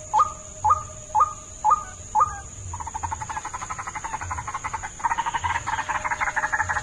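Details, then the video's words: White-breasted waterhen calls used as a lure: five short upswept notes about every half second, then a fast stuttering run of croaking pulses that thickens near the end. A faint constant high whine is present. "Pikat burung ruak ruak"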